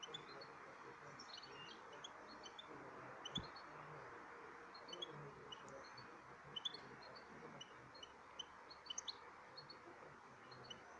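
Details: A European goldfinch of the 'double rouge' type sings a steady stream of high, tinkling, twittering notes over a constant hiss of background noise.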